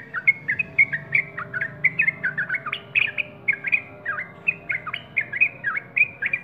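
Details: Singing yellow-vented bulbul: a continuous chatter of clear, bouncy whistled notes, many swooping downward then up, tumbling along steadily for over six seconds over a quiet low rumble.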